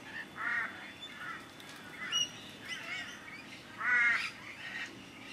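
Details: Rainbow lorikeets at a bird sanctuary in a dominance display, having wrestled on the ground to sort out their pecking order, trade harsh, grating squawks in short bursts, a loud chorus of rasping screeches with brief pauses.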